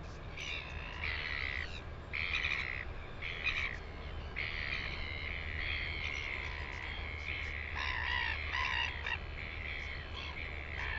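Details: Northern royal albatross in New Zealand, recorded 9 September 2020. Harsh, braying, harmonic-rich calls come in repeated bursts of about one second, some drawn out, over a constant low rumble of wind.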